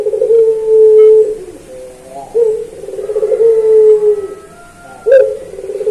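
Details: Master recording of a singing puter pelung dove. It gives deep, sustained coos with short stepped notes between them, each phrase sliding lower at its close, with a sharp click near the end.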